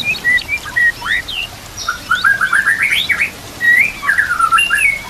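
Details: Song of a White-rumped shama used as training sound: whistled notes lead into a fast warbling run of rising and falling slurs, then a sustained high whistle, with faint hiss behind.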